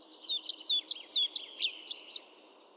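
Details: European pied flycatcher giving a quick phrase of about nine short, high, sweet notes, several sliding downward, delivered at a lively even pace over two seconds, with a faint steady background hiss.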